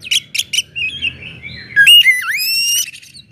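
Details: Loud Oriental magpie-robin song used to get other magpie-robins singing: three sharp buzzy notes, a soft warble, then a strong swooping whistle dipping and rising into a sustained high tone.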